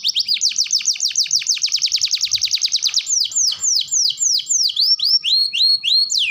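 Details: Canary song for schooling young birds: a long, very rapid run of descending whistled notes for three seconds, then slower, wider dipping whistles ending in looping sweeps.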